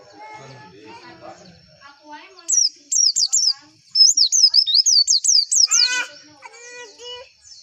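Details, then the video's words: White-eye song used as a training lure to prompt caged songbirds to start singing: after low harmonic chatter, a run of high, sharply down-slurred whistled notes repeats rapidly, followed by lower buzzy calls. "PANCINGAN PLECI AGAR CEPET BUKA PARUH"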